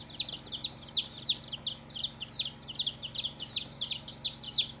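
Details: A group of newborn chicks on their first day peeping steadily: clear shrill notes that drop in pitch, repeated fast and overlapping in a continuous chatter.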